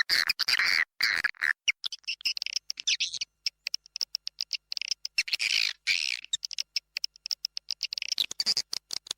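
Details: Indonesian swiftlet lure call used to attract swiftlets: rapid trains of dry, buzzy chattering clicks, high-pitched, broken into bursts of varying length with brief silences between.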